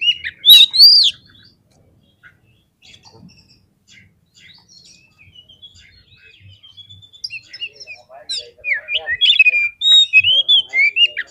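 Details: Oriental magpie-robin singing a provoking song meant to stir rival birds to fight: a bright burst of whistles, a long faint stretch of scattered soft notes, then rapid loud chopped whistled phrases at the end.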